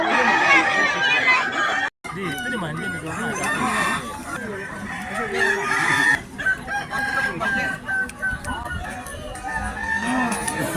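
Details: Kukuak Balenggek roosters, a singing chicken breed of West Sumatra, at a crowing contest with hundreds of fans. Several birds crow in long, overlapping, tiered calls, with a short break near two seconds. Crowd chatter and laughter run throughout.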